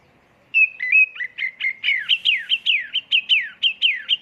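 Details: Oriental magpie-robin (kacer) lure song, full-isian tembakan style: a rapid, steady run of loud whistled notes, each sliding downward, repeated about four times a second after a half-second of quiet.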